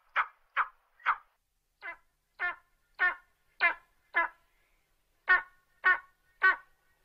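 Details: Eagle uttering a steady series of coarse, grating notes about two per second, with a brief pause before a louder final run. There are no other sounds.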